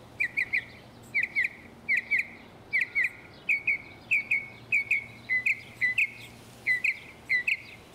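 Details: Northern mockingbird in Texas repeating one short, clipped double-note phrase over and over, roughly every half second, for eight seconds, with faint low background hum.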